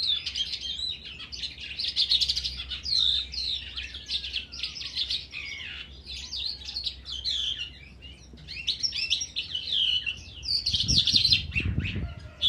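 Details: Caged crested lark in song in an outdoor enclosure, February 2019. It gives dense, scratchy, rapidly varied twittering with buzzy bursts and brief pauses, and a low thump near the end.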